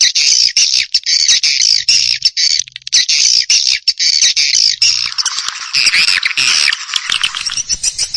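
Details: Swiftlet calling and roosting sound for attracting birds to Indonesian swiftlet houses: sustained high buzzy trills in long stretches broken by short gaps, becoming a harsher, broader chattering after five seconds.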